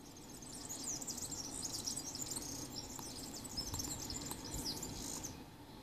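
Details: A European serin sings in Riga, Latvia, on 13 June 2018: a fast, high, tinkling jangle of buzzy notes that runs on without pause, over a steady low rumble of distant traffic.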